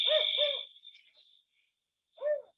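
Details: Spotted owl of the Sierra Nevada forests, as heard in woods at night, gives low, hollow hoots: two quick notes, a pause, then another, from its four-note territorial call, with a thin steady whine underneath.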